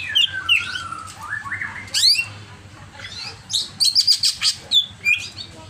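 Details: Greater green leafbird in an overexcited singing bout: varied high whistles, sweeping slurs and squawky notes, ending in a run of loud, evenly spaced sharp chips.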